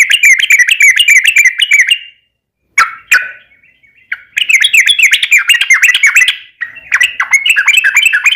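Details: Sooty-headed bulbul in an energetic long rolling song meant to make other bulbuls sing: very fast bubbling whistled notes, about three or four a second, broken by short pauses and a few isolated chirps.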